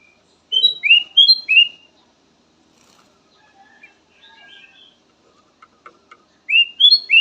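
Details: Black-crested bulbul song variation: a bright three-note whistled phrase, a quiet stretch of faint chirps and clicks, then the same whistled phrase repeated.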